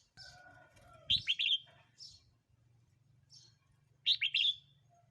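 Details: Red-whiskered bulbul, a recording for playback to wild birds or to tutor young birds: two bubbly whistled phrases about three seconds apart, with softer high chirps and a low hum between.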